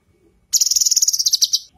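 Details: A single loud, rapid, high-pitched trill of about fifteen quick pulses lasting just over a second, from a female leafbird (cucak kinoi) used as a master song for training birds.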